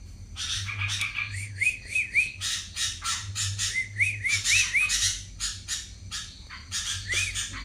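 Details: Yellow-vented bulbul in rapid ropel style: short bubbly, liquid phrases of quick rising-and-falling whistled notes, several loops in a row, set among dense scratchy chatter and a steady low hum.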